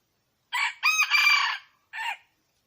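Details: Red junglefowl crow, loud and close: a harsh opening burst, a sustained strained middle phrase and a short falling ending, with silence around it.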